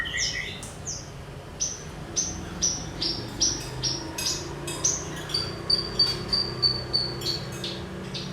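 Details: Javan bush lark song played as training material to set other birds singing: a run of sharp, high whistled notes repeated about three times a second, then steadier piping notes, over a low hum.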